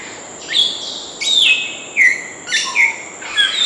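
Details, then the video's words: A grey parrot (African grey, Psittacus erithacus) gives a run of clear, varied whistles, some sliding down and others flat, about five notes in under four seconds, over a steady high background hiss. "Canto do Papagaio Cinza Africano"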